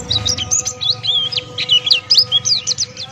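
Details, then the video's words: Male Buxtoni white-eye (pleci) giving 'ngalas' open-beak song. Bright, high twittering notes and short slurs run in rapid clusters, with steady faint tones and low hum underneath. "Masteran Pleci Buxtoni Ngalas Buka Paruh"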